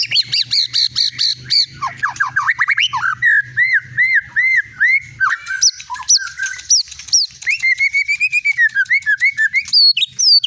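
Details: Caged Medan-type white-rumped shama with a long tail, a contest-winning bird, singing a rich medley of downslurred whistles, looping phrases and quick chip series, shifting pitch from phrase to phrase.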